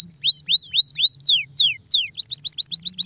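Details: Stressed canaries give hooked whistles repeated four times, then three long descending slides, ending in a quick run of short upward-flicking notes.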